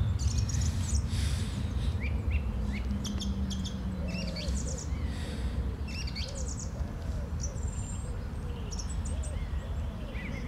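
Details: Song thrush singing on a Sunday morning, 11 April 2021: varied high whistled and chirping phrases with sharp, repeated notes, over a steady low rumble, with soft cooing loops of another bird underneath.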